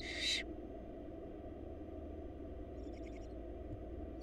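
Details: Wild baby barn owls in a Florida nest box begging while fed by their mother: a single short rasping hiss at the start, followed later by a faint burst of quick clicking notes, over a low rumble.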